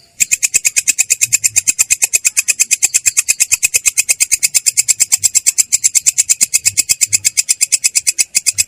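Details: Rolling song of a long-tailed shrike, clear but coarse in tone: a long, unbroken stream of rapid raspy notes delivered at a steady fast rhythm throughout, with no pauses.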